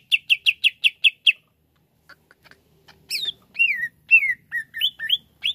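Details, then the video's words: Greater green leafbird, therapy recording for birds slow to sing: seven quick identical chirps, a near-silent gap with faint ticks, then looping, sliding whistled notes that rise and fall. "TERAPI CUCAK IJO LELET BUNYI"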